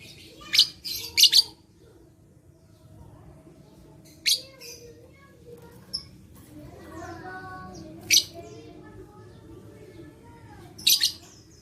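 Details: Caged lovebird song played to stimulate other lovebirds to sing: sharp, high chattering bursts near 0.6, 1.3, 4.3, 8.1 and 11 seconds, separated by quieter twittering and a low background hum.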